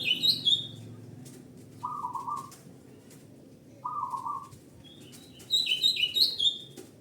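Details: Local zebra dove, sung as a lure for other doves, gives two short, even rolling coos about two seconds apart. Loud high chirping from other small birds dominates the start and end.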